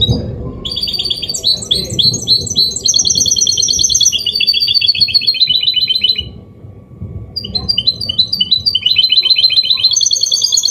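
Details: Mule of goldfinch singing clean Málaga-copy style song used to prompt males and tutor chicks: fast bright twittering trills in long runs, a brief pause near the middle, then more rapid twittered phrases.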